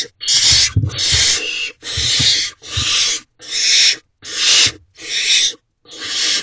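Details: At night in a barn owl nest box on 12 May 2023, the male brings prey and the young scramble for it. Long, noisy screechy hisses repeat steadily, about eight bursts with short silent gaps.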